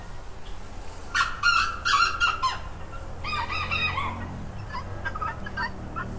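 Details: Rooster calling in loud, rasping, harmonic squawks, first a cluster of sharp notes, then a longer falling phrase, followed by fainter, scattered notes against low background rumble.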